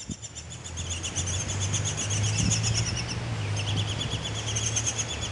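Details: Front-yard Baltimore orioles, young birds just out of the nest, keep up fast trains of thin, high chirps, about three or four a second, while a loud low engine-like hum runs underneath.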